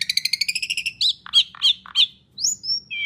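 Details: Asian pied starling singing loudly in full, varied song, used as a lure to get other birds singing: a rapid series of rising chirps, then four buzzy downslurred notes and high whistled slides.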